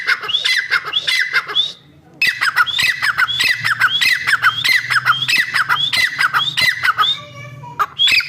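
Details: A female francolin calling, giving harsh, grating squawks in quick rhythmic bursts of over a second each, repeated steadily with brief pauses over faint background noise.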